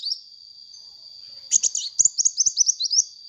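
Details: Chattering sunbird song used as a lure: after a short chirp and a quiet spell, a rapid burst of high, squeaky, slightly slurred twitters at about two or three notes per second, over a continuous high whine.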